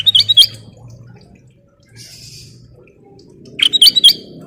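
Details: Sooty-headed bulbul in full, lively song played as a lure: a quick burst of bright whistled, slurred notes opens, then a quiet gap with faint buzz, and another burst of clear whistles near the end, over a low steady hum.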